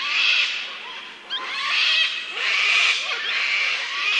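Sulphur-crested Cockatoo giving long, harsh, grating screeches, three drawn-out squawks in about four seconds, loud and raspy across a broad band.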